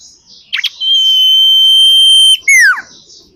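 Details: Female common iora calling, a recording used to lure birds: a quick double chirp, then one long, steady, pure whistle held for about one and a half seconds, ending in a sharp downward-sliding note.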